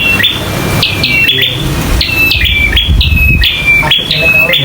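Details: Local bar-winged prinia in vigorous fighting song; quick series of harsh, upward-sweeping chips alternating with short level whistles, repeated steadily, loud and close with a roomy echo.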